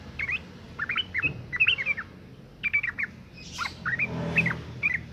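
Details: Breeding female sooty-headed bulbul calling males, used to prompt males to sing: groups of quick chirped notes, a brief gap, then more bubbly chirps, with a soft rushing noise partway through.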